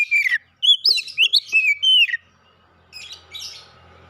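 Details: White-rumped shama (kacer), a first-place bird in a singing competition, delivers loud clear whistled phrases, rising and falling slurs with rapid chattering notes, in a burst of about two seconds followed by faint, softer warbling.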